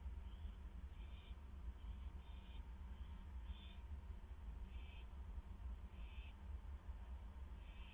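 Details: Owls visiting a nest box late at night, 11:05 PM, May 7, 2015, with a scuffle between two inside: brief breathy hisses at uneven intervals, under a loud constant low-frequency rumble.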